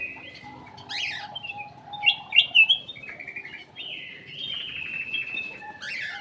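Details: Bulbul lure song recorded in an aviary: long sustained whistles and warbled phrases with a few loud sharp chirps, and brief wing-flutter sounds, over constant low background noise.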